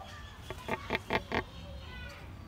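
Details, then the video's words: Irritable pelican at Featherdale Wildlife Park uttering four or five gruff, pulsed grunts in a quick row, with a quiet murmur of park noise and distant birds behind. "Bad Mood Pelican"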